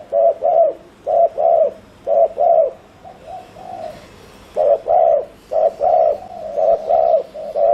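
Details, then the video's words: Spotted dove decoy calling fast to lure others: repeated low double coos, a softer murmured run in the middle, then strong paired coos again. "Chim cu gáy GÙ ( bo ) TỐC ĐỘ kích bổi,cu gáy mồi cây"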